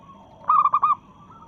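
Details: Zebra dove of local stock, singing in breeding mood to challenge rivals: one short phrase of four quick, mellow cooing notes, with faint cooing behind.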